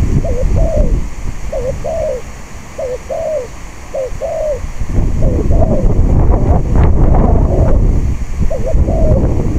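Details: Spotted dove cooing as a decoy for luring wild doves, on a windy day. Evenly spaced phrases pair a quick hooked note with a falling coo, about every one and a half seconds. Strong wind swells mid-clip.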